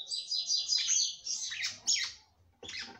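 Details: Female red-cowled cardinal singing to fire up the male: a quick run of bright whistled and warbled notes, then a pause and one more short burst.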